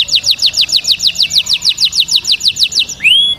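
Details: Canary song used to teach chicks: a regular tour of bright, downward-slurred chirps about four per second, closing with a long, clear rising whistle.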